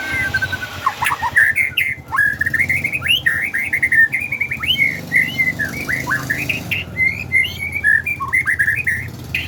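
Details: Medan white-rumped shama performing a bowing-style song for training other birds. It gives a long, rapid chain of short, upslurred whistled notes with a steady rhythm over faint low background rumble.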